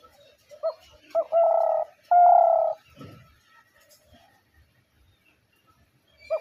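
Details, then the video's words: A single spotted dove phrase: a short lifting note, then two long, level, resonant coos, followed by near silence and the start of another phrase. "শিকারী ঘুঘুর ডাক ২০২৩ /Dove birds sound effects /gugu pakir dak"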